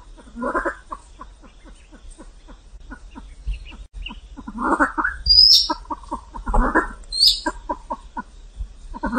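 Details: Vietnamese pheasant giving rapid low clucks in a quick series, with several louder, rough bursts and a brief high, thin rising whistle in between.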